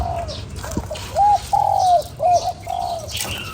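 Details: Spotted dove cooing to provoke a decoy bird: a short opening note, then a drawn-out falling coo and another brief coo, low and mellow, with faint background rumble.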